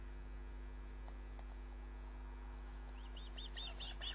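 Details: Osprey on its nest, captured by a live nest cam on 29 June 2010 at 22:34, gives a quick series of high, piercing chirps in the last second, over continuous electrical hum.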